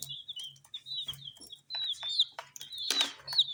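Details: Coloured chicks eating spicy snacks chirp in a quick string of high, wavering peeps. Pecking clicks sound between them, a loud crackling burst comes near the end, and a low hum runs beneath.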